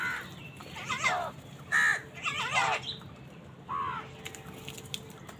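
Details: Crow calling during a fight with wild birds for food: rapid, raspy, layered caws from more than one bird, clustered in the first half, then a single fading caw before quiet.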